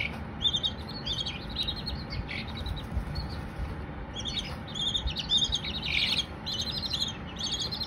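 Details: Several baby Silkie chicks giving high, rapid peeping runs, quieter in the middle and then a loud overlapping chorus of trilled chirps, over a low, steady background drone.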